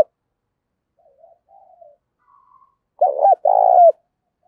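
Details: Decoy spotted dove with an intense, combat-provoking coo to lure wild birds, 'thổ' voice style: faint soft murmurs lead to one loud phrase near the end, two clipped notes then a long pulsing coo curving downward.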